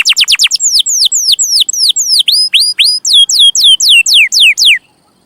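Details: Young-canary tutor recording of a canary singing a fast burst of sharp falling notes, then a rhythmic series of swooping slurred whistles, about four per second, before stopping.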